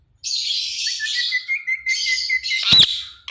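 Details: Ring-necked parakeet making sounds: a long, hissing, shrill screech held for about two seconds, broken briefly, ending with a sharp click.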